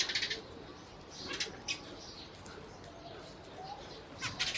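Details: Sparrows in Burma giving short, bright chirps, a burst of clustered notes at the start and another near the end, with faint scattered chirping and soft background noise in between.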